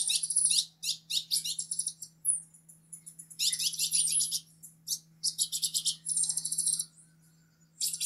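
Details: Green-headed tanager singing high, hissing, buzzy trill phrases, dense and rapid, with short gaps between bursts. A low continuous hum runs underneath.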